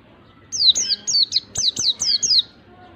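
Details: Lure recording of white-eye song meant to get a lazy bird singing: a fast series of about eight bright, high whistles, each sliding steeply downward, delivered in one clean rapid run.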